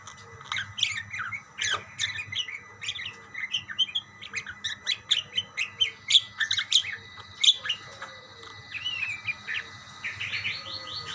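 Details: Budgerigars chattering to one another: dense runs of high chirps and squeaks, busiest in the middle, easing into a few scattered notes and a short warble near the end.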